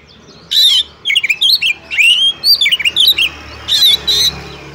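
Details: Female Oriental magpie-robin calling a male to make it sing, used to rouse other magpie-robins: loud harsh broadband bursts open and close a run of quick twisting whistles and slurred notes, each phrase rising and falling.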